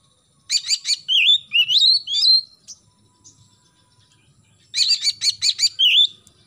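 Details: Oriental magpie-robin singing in the morning to encourage young birds: rapid rattling clicks followed by rising whistled slurs, repeated twice with a quiet pause between.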